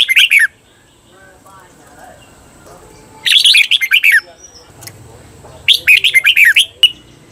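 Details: Red-whiskered bulbul kept as a cage bird, heard in a doubled (เบิ้ล) training song: three crisp, fast bursts of sweet chirping notes with quiet gaps between them.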